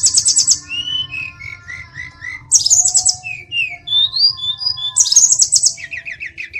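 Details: Tledekan gunung delivering buzzy trilled bursts between strings of short whistled notes stepping downward, rising whistled phrases, and a final rapid repeated chirp series.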